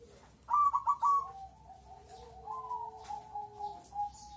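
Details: Crossbred perkutut, or zebra dove, singing: a quick stutter of clipped cooing notes, then long, smooth, drawn-out coos that level off and hold steady to the end.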